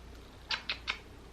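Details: A talkative male pet cockatiel indoors, while a seagrass mat toy is being made for him, gives three short, harsh chirps in quick succession, about a fifth of a second apart, against a quiet background.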